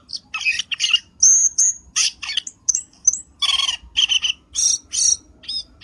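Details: Lure call of a black-winged starling for trapping birds, a busy sequence of loud squawks, rasping buzzes and sharp whistles given in quick bursts, roughly two or three per second.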